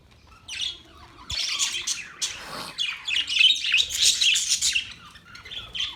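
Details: Budgerigars starting after a short quiet moment, then building into lively, loud chattering of scratchy chirps and warbles, rising in intensity before easing off.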